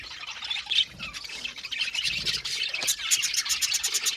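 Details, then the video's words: Budgie colony chirping in an aviary: busy overlapping warbles and squawks, ending in a quick, rhythmic series of loud sharp chirps repeated several times a second. "Budgie amazing chirping sound | Budgies calling sound to make him happy"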